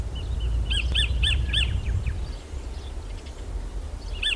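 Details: New Zealand kingfisher (kotare), a sacred kingfisher, giving a run of four harsh, arched, repeated notes in quick succession, then a single note after a pause, over a strong low rumble.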